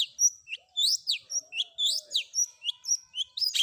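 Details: Long-tailed shrike singing a combination 'isian' filler song, a training recording: a brisk run of high twittering notes, short rising and falling slurs packed several per second, with a faint lower whistle beneath.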